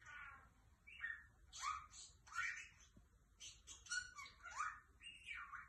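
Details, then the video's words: Lovebird, kept as an ornamental bird, calling in a rapid series of grating squawks and shrill upward-sweeping notes, about one and a half per second, with little pause. "أصوات طير الحب يتكلم"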